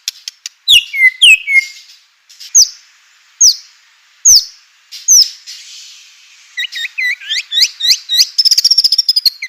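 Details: White-rumped shama singing, played to agitate other shamas and get them to answer. It gives sharp downslurred notes and spaced single clicks, then a fast run of rising whistled notes and a trill at the end.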